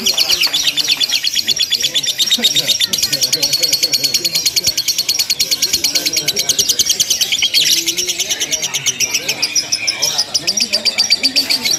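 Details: Lovebird in a mock singing contest chattering long and without pause: high, fast, grating pulses forming a continuous trill, a brief brighter burst midway, faint low noise beneath.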